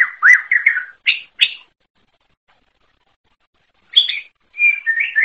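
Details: {'caption': 'Distinctive song of a wild greater green leafbird, delivered in short bursts: a cluster of slurred warbles and sharp chirps, a long silence of more than two seconds, then a few brighter notes and a wavering whistle.'}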